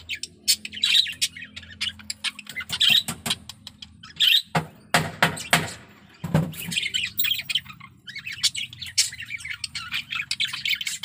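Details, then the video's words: Male budgerigar in breeding condition chattering in short bursts of squeaky chirps and clicks, broken by a few loud broadband knocks or taps midway, then resuming its twittering warble. "Suara Burung Parkit Jantan || BIRAHI PARAH"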